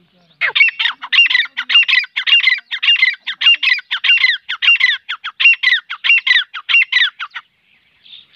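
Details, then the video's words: Francolin, known locally as teetar, calling: a loud, harsh, grating series of rapid notes, about two per second, held steadily for roughly seven seconds, then stopping. "teetar ki boli | teetar voice | teetar ki awaaz | teetar | francolin voice"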